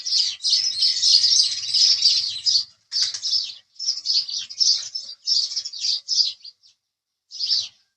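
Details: Chirping house sparrow: an unbroken chattering run of rapid chirps for over two seconds, then separate chirps in short groups and a final lone chirp after a pause.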